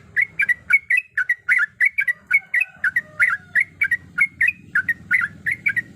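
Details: Female yellow-vented bulbul in breeding condition calling to a male: rapid bubbly chirps with a quick up-down lilt, about three per second in a steady run. A low hum sits underneath throughout.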